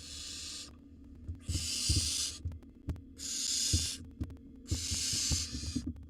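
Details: Barn owl nestling, wild, filmed on a nest-box camera while gobbling a bird a sibling tried to take; four rasping hiss-screeches about a second long, spaced by pauses, with soft thumps and shuffling between them.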